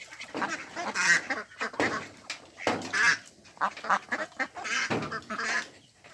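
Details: Ducks on a pond (Mandarin ducks, mallards and Pekin ducks) give loose series of coarse, nasal quacks roughly every second or two, with several birds answering one another.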